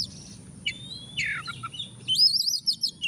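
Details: Oriental magpie-robin lure song meant to prompt a reluctant bird to sing: a long thin whistle, then a burst of quick, wavering, high warbled notes, over a constant high tone and low hum.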